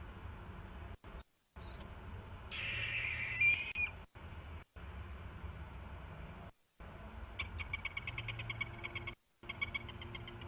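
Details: An owl named Beau gives the dinner call in the evening (6:14 PM, 25 October 2016) just after mice were delivered to the owlets: a breathy, hissing burst, then rapid dry, high ticking chitters, about three per second, over a low hum.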